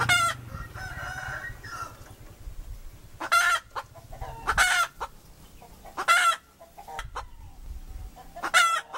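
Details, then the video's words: Hen cackling in a repeated cycle: bursts of quick clucks, each ending in a loud, grating, stretched squawk. The squawks come about every one and a half to three seconds, with low rumbling noise in the background. "Poj qaib dib เสียงไก่ตัวเมีย เสียงจริง"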